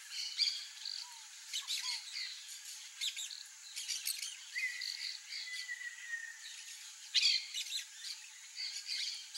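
Peach-fronted parakeets give harsh, scratchy squawks in irregular bursts. Thin whistles from other birds sound faintly in the background.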